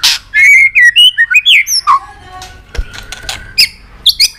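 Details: White-rumped shama, excited and flicking its tail, singing a varied many-voiced song: loud clear whistled phrases that slur up and down, rapid bursts in the first two seconds, then quieter scattered notes and clicks.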